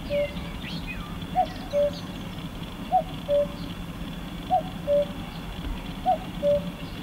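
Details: At Croft Castle in Herefordshire a cuckoo repeats its falling two-note cuckoo phrase roughly every one and a half seconds, steady and evenly spaced, while other small birds twitter faintly behind and a low rumble persists.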